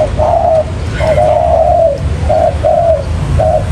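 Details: Decoy spotted dove for bird trapping calling in mellow hooting coos, a drawn-out middle note flanked by brief ones, phrases repeating steadily against a constant low rumble.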